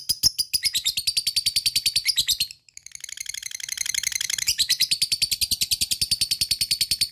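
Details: Lovebird in a long, rapid ngekek, the excited chattering trill used to set other lovebirds singing: a dense, buzzy rattle of high notes that drops to a softer trill midway, then returns loud and continuous.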